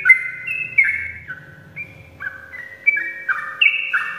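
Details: Sooty-headed bulbul singing in the morning, used to lure lazy birds into singing: bright whistled two-note phrases, each sliding down in steps, repeated at irregular intervals with a faint low hum beneath.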